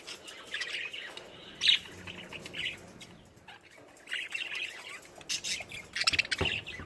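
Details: Lovebirds chirping: sharp, high-pitched twittering notes in uneven bursts, some run together into rapid chatter, separated by brief quieter gaps.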